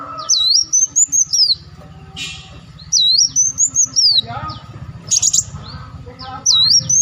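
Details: Olive-backed sunbird used as a luring call: repeated high looping whistled phrases in bursts, over a steady low humming background, with a short harsh noise between phrases.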